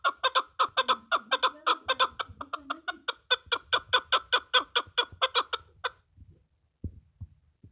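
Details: A chukar partridge (Alectoris chukar) gives a fast run of about twenty harsh, clucking chuck notes, roughly three each second, for six seconds, then a few faint knocks.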